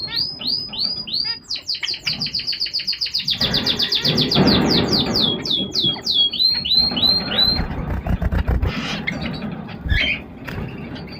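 Zebra finches give rapid, repeated high chirps and nasal toy-trumpet-like beeps.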